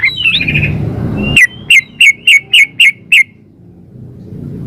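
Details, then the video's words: A female yellow-vented bulbul calls for a male. A brief rippling trill is followed by seven evenly spaced, sharp downslurred chips, about three a second, and then quiet. A low hum fades out early. "suara pancingan trucuk betina memanggil jantan"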